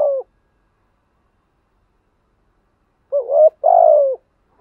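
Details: Spotted dove song meant to lure and excite wild doves: the tail of one coo, a long silence, then a full phrase of a short curling note and a drawn-out falling coo.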